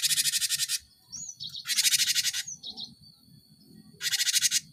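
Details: Cinereous tit, played as a lure to stimulate caged birds to sing: loud harsh buzzy chattering bursts, three in under five seconds, with a few thin whistled notes and soft low background hum between them.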